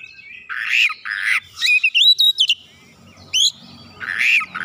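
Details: Kacer, the oriental magpie-robin, replying insistently and showing its learned fill-in song: two rasping harsh notes, then a quick run of bright rising and falling whistles, a sharp upward note, and another harsh burst.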